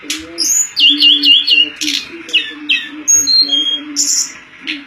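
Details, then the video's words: Pied fantail singing in a bird-contest training recording: a quick run of wavy whistled notes, then scattered short chirps and clear whistles, with a continuous low hum beneath. "Manis Kicauan TLEDEKAN"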